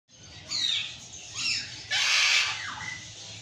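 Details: Burrowing parrot, the Patagonian conure, giving loud harsh screams that slide downward, three raucous bursts in quick succession, the last one long and broad.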